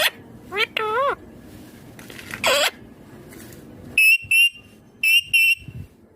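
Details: Ringneck green parrot talking: varied wavering, speech-like vocal sounds and a buzzy burst, followed by two pairs of clear, short, high whistled notes.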